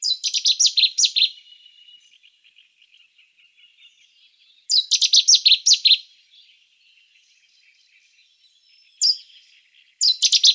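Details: Cetti's warbler song: loud, abrupt phrases of about eight rapid, emphatic repeated notes, delivered in three separated bursts with quieter trailing notes between them.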